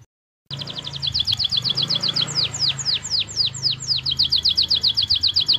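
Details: Canary in full 'gacor' song with 'cengkok mewah' phrasing: a rapid, even trill of high notes slows into broad downward-slurred sweeps, then breaks back into a fast, regular trill, steady low hum behind.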